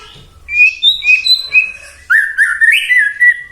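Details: White-rumped shama singing to provoke other shamas into song: short bright whistled notes followed by a longer rich, warbling whistled phrase.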